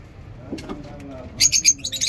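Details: Lovebirds at a mini zoo in the morning: after a quiet, murmuring start, a burst of harsh, high, scratchy chirps runs in quick succession through the last second.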